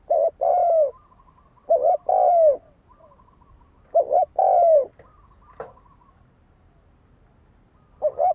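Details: Kept decoy spotted dove cooing to lure and provoke rival birds into fighting; phrases of a short doubled note and a drawn-out descending coo, separated by pauses, with faint softer notes between phrases.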